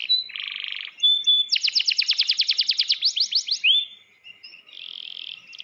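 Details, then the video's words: Canary singing in a cage, mixing a buzzy rattle, a short pure whistle, then a fast bright trill of repeated notes, a rising slur and softer buzzy phrases. "burung gacor dorrr dalam sangkar keramat"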